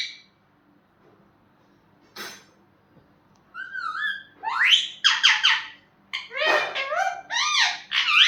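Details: Pet parrot indoors, quiet at first apart from a single click, then a run of rapid, chattering squawks and whistled, swooping notes. These come in quick bursts over the last five seconds.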